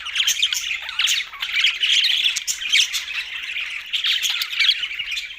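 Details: Budgerigars chirping in a dense, continuous chatter of overlapping warbled and squawky notes, with no gaps or other sounds.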